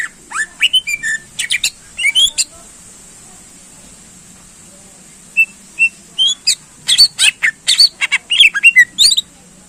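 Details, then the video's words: Greater green leafbird singing to provoke contest birds, with scattered sharp chips and slurred whistles, a quiet gap, then a lively run of high whistles and clicking notes. "Cucak Ijo Gacor Ampuh Menaikkan Emosi Burung Lomba"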